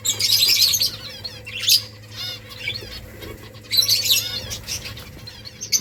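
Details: Finches feeding on rice produce busy, high-pitched twittering in two main outbursts, with scattered single chirps between and a low steady hum in the background.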